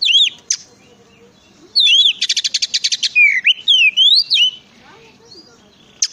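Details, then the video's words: Oriental magpie-robin singing to prompt others of its kind to sing, with curving high whistles, a dense burst of rapid ticking notes, then looping slurred whistles and a final sharp note. "pancingan suara kacer"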